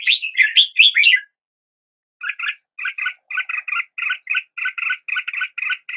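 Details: Red-whiskered bulbul opening with a few loud swooping whistles, falling silent briefly, then keeping up a steady series of short paired chirps, about four a second.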